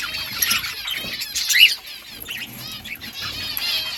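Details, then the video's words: Several budgies in a colony chattering with rapid warbled chirps and twittering phrases, loudest early on, then softer continued chatter with a few faint low rustles underneath. "Budgies parrot chirping sounds parakeet sounds"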